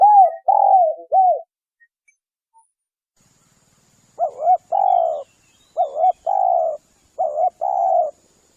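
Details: Spotted dove lure call to attract spotted doves. A quick trio of arched coos is followed by silence, then three paired phrases of a double-humped note and a long level coo.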